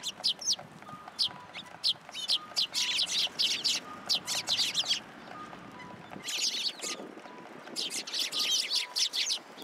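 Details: Group of sparrows coming to a post for food at a Tenmangu shrine on 20 February 2023, chirping in dense, excited bursts separated by a brief lull, with faint soft tonal beeps beneath.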